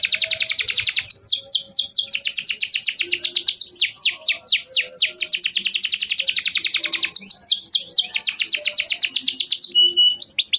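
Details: Long continuous canary song meant to stimulate canaries that stopped singing: an unbroken run of rapid, high chirping notes in dense rolling trills for about ten seconds, with only brief shifts in tempo near the end.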